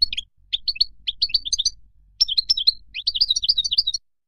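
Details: Wild-type European goldfinch song meant for teaching young birds, delivered in short bursts of bright, clipped chirps and twittering phrases separated by brief silences, with the notes quickening toward the end.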